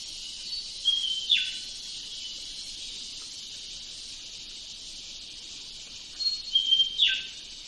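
A leafbird gives two short phrases of high whistled notes, each ending in a sharp downward slur, over a steady hiss of insects.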